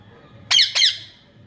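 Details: Pet parrot indoors giving two loud, harsh, buzzy squawks in quick succession, each about a quarter second long, over a low background hum.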